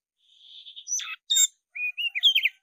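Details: Black-breasted Oriental magpie-robin singing in fighting mood: a steady thin whistled note, then two sharp rasping chirps, followed by a run of quick rising and falling whistles.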